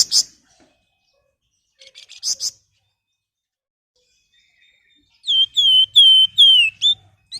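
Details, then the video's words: Flamboyan used as a master song for training other birds: brief buzzy chirps, then a silence, then a series of loud clear whistles each ending in a slurred downward flick. "Suara Istimewa Siulan Flamboyan buat Pancingan maupun Masteran"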